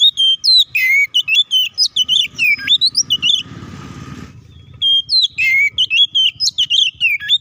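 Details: Fighting 'ngeplong' song of the Oriental magpie-robin, played to stir up other kacer: rapid chattering whistles sweeping up and down, broken midway by a second of rough noise before the fast phrases resume.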